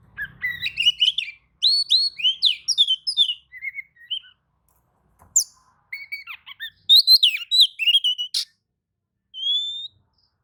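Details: Oriental magpie-robin song answering another magpie-robin's singing: bursts of varied whistled and slurred notes, some rising, mixed with sharp squeaky chips, delivered in phrases separated by short pauses.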